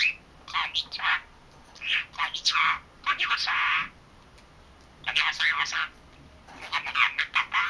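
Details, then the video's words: A 3-month-old male talking budgerigar chatters to himself in bursts of about a second, a warbling, scratchy jumble of squeaks and mimicked Korean and Japanese greeting-like syllables with short pauses between. "Talking Parrot 말하는 사랑앵무(잉꼬) しゃべるセキセイインコ"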